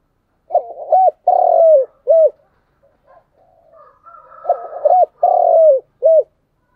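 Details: A spotted dove decoy coos in the morning to attract wild doves; two deep phrases each of short hoots, a long falling coo and a brief end note, with faint higher twittering between them.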